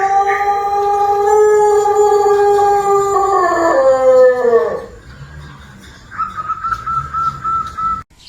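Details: Indonesian Pelung chicken from Cianjur, West Java, known for its long, rhythmic, song-like crow: a steady harmonic note held for nearly five seconds bends downward and fades, followed by a fainter, higher, even tone lasting about two seconds.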